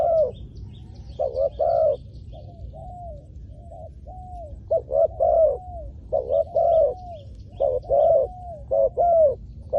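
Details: Luring wild spotted doves to the ground with a calling dove. Repeated phrases of short clipped coos and longer, slightly falling coos, with a few softer trailing notes. Distant high chirping from other birds at the start and middle.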